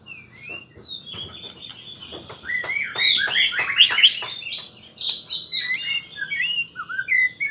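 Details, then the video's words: White-rumped shama learning rolling trills: sharp clicks build into a dense, jumbled burst of whistled and chattering notes, ending with scattered sliding whistles; faint low hum throughout. "Murai Super Belajar Kicau"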